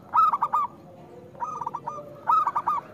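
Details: Local zebra dove singing loudly, meant as a lure for doves that rarely sing: three phrases of quick, clipped cooing notes near mid pitch, each phrase a short stuttering run, separated by pauses, with faint low background hum.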